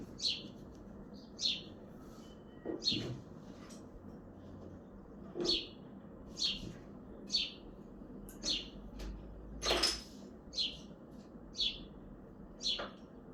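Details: House sparrow on a balcony in Hazaribagh, India, chirping steadily: around twelve bright, short chirps spaced about one second apart, with occasional soft knocks and a brief noise burst.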